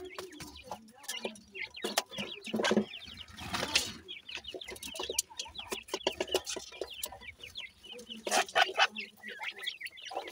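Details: Numerous young francolin chicks peep continuously while feeding; thin, high, downward-slurred notes overlap in a steady chatter, broken by sharp knocks and a burst of rustling.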